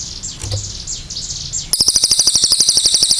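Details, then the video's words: Cililin songbird in full voice, delivering a long clear song: after a noisy start with faint high whistles, it bursts into a loud, very fast, high-pitched trill of sharp even notes, about four per second, sustained to the end. "CILILIN GACOR NEMBAK PANJANG SUARA JERNIH"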